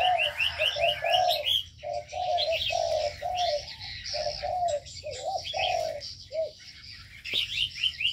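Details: Aviary of ornamental birds, with a run of rapid, upward-flicking high chirps at first, then steady low cooing notes in short bursts, with dense twittering behind.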